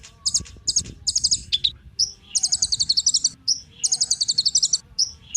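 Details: Kolibri ninja sunbird song for prompting other birds to sing: short clipped chips, then longer dense trilled phrases of high sharp notes, with brief single notes in between.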